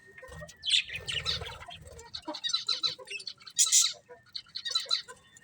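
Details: Colourful budgerigars warble and chirp in a busy, buzzy stream of high notes, with a few louder squeaks rising above the chatter and faint low background noise.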